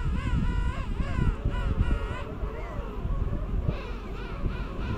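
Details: Courting and mating king penguins on South Georgia in January 2019 give a series of quavering, harmonic trumpet calls in quick, pulsing bursts, with more distant callers and a steady low wind roar.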